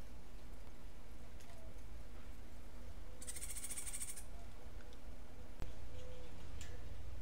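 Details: A single buzzy, high trill of about one second from a Cuban grassquit in martillito song style, then a sharp click and faint soft chips against a constant low-frequency hum.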